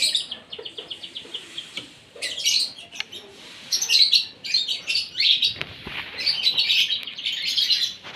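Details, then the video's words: Asian pied starling at its morning meal: a run of quick, evenly repeated ticking notes, then a continuous stream of grating, scratchy chatter and squeaks. "SARAPAN PAGI BURUNG JALAK SUREN SUPAYA GACOR"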